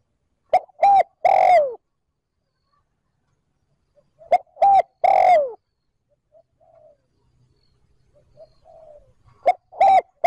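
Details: Spotted dove calling to stimulate and attract wild doves in 'trơn ròng' style: three-note cooing phrases, two quick coos and a longer downslurred one, repeated roughly every four seconds, faint coos in gaps.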